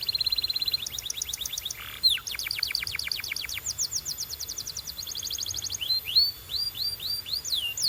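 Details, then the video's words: Canary training song made of rapid high trills at changing speeds, broken by a brief buzzy note, finishing with a few rising whistled slurs. "Transform Your Quiet Canary into a Singing Champion!"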